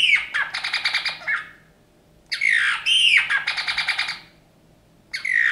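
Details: Rescued Eurasian bullfinch, found wounded in snow on 27 January 2019, delivers two creaky song bursts, each opening with a squeaky swoop and running into rapid grating, clicking notes, separated by about a second of silence.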